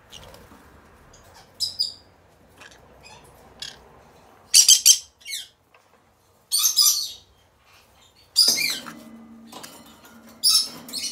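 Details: Pair of caged green-cheeked conures: loud, grating screeches in irregular bursts roughly every two seconds, with softer chirps between and a low hum in the background.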